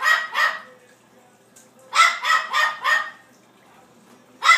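A blue-fronted amazon gives harsh, hoarse barks in short bursts, mimicking a small dog.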